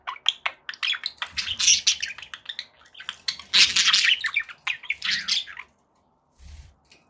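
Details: Pet budgies squawk and chatter loudly in dense, scratchy bursts with sharp chirps, fading to near silence over the last second and a half.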